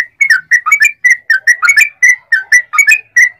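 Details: Lively Sooty-headed bulbul song used as a lure to make other bulbuls answer: a steady string of short, bubbly whistled notes, roughly four per second, some rising, some falling, with no other sounds.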